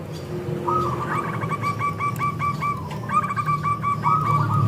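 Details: Several local zebra doves singing together as a lure for other doves: overlapping rows of rapid, evenly pulsed coos at two pitches against a steady low background hum.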